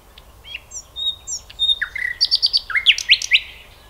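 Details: Common nightingale (Luscinia megarhynchos), song.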